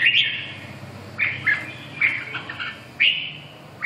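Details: Red-whiskered bulbul whistling short bright phrases, a few slurred notes spaced roughly a second apart, with a low steady hum underneath.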